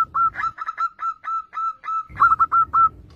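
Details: A lure zebra dove singing: a string of short, bright, whistled coo notes with a hooked end, evenly spaced, ending in a quicker, louder cluster of four or five notes.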